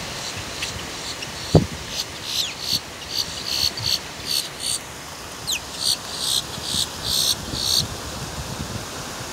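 Boat-tailed grackle giving harsh, dry, buzzy clacks, repeated about twice a second in short runs over a low background rumble.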